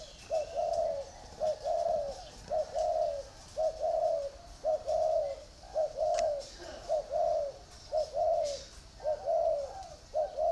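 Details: Caged spotted dove, from a pair in a bamboo round cage and an iron cage, repeating low, rounded coo phrases in a regular rhythm, roughly one each second, over a quiet background.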